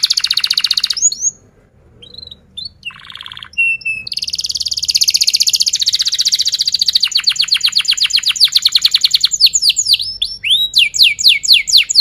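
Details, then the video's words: Young-canary training song from a canary: long dense buzzy rolls broken by brief pauses and short whistles, ending in quick steep downward-sweeping notes. "Pancingan kenari paud belajar bunyi"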